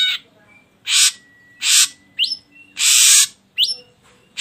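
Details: Ashy drongo song used as a lure to provoke other birds into singing: loud harsh broadband rasps about every second, alternating with quick rising whistled slurs, over faint low background hum.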